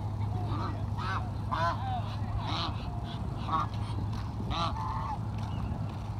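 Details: Geese being fed give spaced, somewhat muffled nasal honks about once a second over a strong low background hum.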